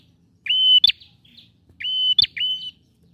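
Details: Male bar-winged prinia singing to stir a silent bird, giving two phrases of a level high whistle broken by a loud sharp click, the second followed by another steady whistle.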